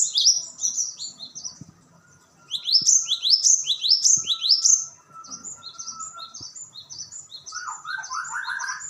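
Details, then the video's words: Cinereous tit delivering bouts of sharp, high whistled notes that swoop upward, repeated in quick series with brief pauses, followed by softer echoing phrases and a lower twittering run at the end. "Dijamin burung glatik batu langsung respons."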